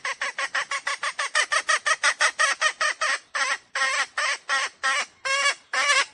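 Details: Decoy junglefowl hen calling to lure wild roosters for trapping: a fast series of about twenty harsh, harmonic cackling notes, then slower, longer drawn-out squawks, each note broad and clucking.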